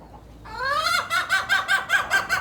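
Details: Unusual hen sound: a drawn, rising note that swells into a quick series of about seven short, pulsing, clucking notes evenly spaced.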